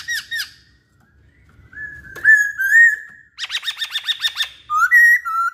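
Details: Poksay Hongkong laughingthrush singing strongly: a sharp double note, a long drawn whistle with a warbling middle, then a fast chattering run of repeated notes and two clear closing whistles.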